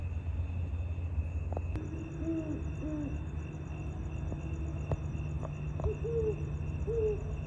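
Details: Great Horned Owls in Sierra Madre, California, on 13 October 2023, giving soft, deep hoots in short runs, one voice slightly higher than the other, over steady cricket trills and a low traffic rumble.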